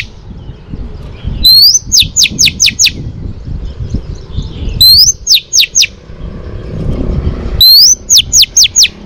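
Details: Female Oriental magpie-robin song meant to excite males: three phrases about three seconds apart. Each is a bright rising whistle followed by five quick downward-slurred notes, with a soft low rumble behind.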